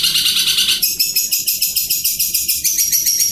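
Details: Long-tailed shrike of the Madura type, a trained contest champion, giving a fast, steady series of high, scratchy pulsed notes, about three each second, after a brief harsh opening phrase.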